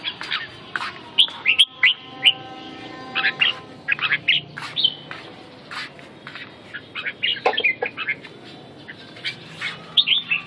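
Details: Red-whiskered bulbul singing: bright, short whistled and chirping phrases in quick bursts, some notes sliding up and down, with pauses between phrases over a low steady background hum.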